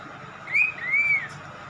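A lorikeet gives two clear whistled notes, each rising then falling, the second longer, copying a human whistle over a faint steady hum.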